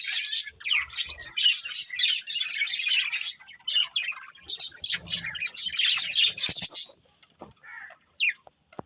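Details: Breeding budgerigar pair chattering in high, buzzy chirp bursts that fade into sparse single notes and clicks near the end.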